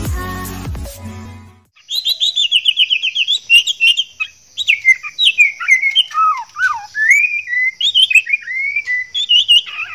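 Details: Male white-rumped shama in breeding condition courting a female; after a brief low thump at the start, a rich run of varied whistled phrases, trills and sliding notes follows with a steady high insect-like hiss behind.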